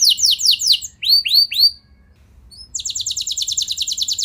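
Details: Canary song used as a lure to provoke other canaries into answering with long rolling song: quick high downslurred notes, three rising slurred whistles, a brief pause, then a fast, even, high trill.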